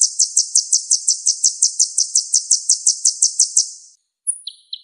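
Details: Vigorous sunbird song used as masteran for Indonesian songbirds. A steady, evenly spaced string of high sharp chips, nearly three a second, is followed after a pause by a few thin high notes.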